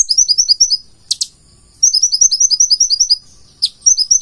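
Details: Full-isian song of a purple-throated sunbird: shrill, fast note trains at very high pitch, interrupted twice by harsh double notes, then resuming in quick high-pitched series.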